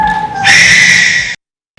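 A Barn Owl gives one harsh, hissing screech lasting about a second, rough and breathy. A fainter steady tone comes just before it.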